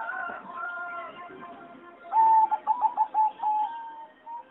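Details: Singing zebra dove of a bred competition line calling in an aviary: after soft background coos, a loud clear phrase of pulsed coo notes, slowing and fading, with other doves murmuring throughout.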